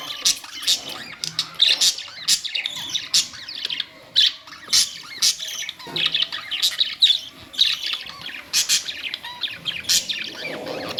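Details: Colourful budgerigars chattering steadily: dense, rapid, high chirps and squeaky warbles packed together, near-continuous with brief pauses.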